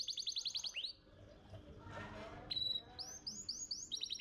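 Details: Masteran canary from a singing contest champion: fast repeated chirps, a pause with soft noise, a bright sustained whistle, then upward-sweeping notes repeating in series.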